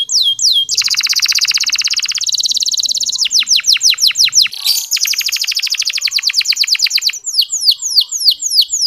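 A canary sings fast, high trills, then switches to runs of repeated sweeping notes that each last a second or two, with no other sounds.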